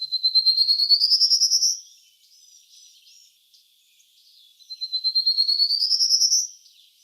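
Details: Prairie Warbler song, heard twice, a bird typical of grassy, shrubby reclaimed strip-mine land in Ohio, singing from small bush tops: about fifteen buzzy notes climbing from low to a thin, high finish, with a pause between songs.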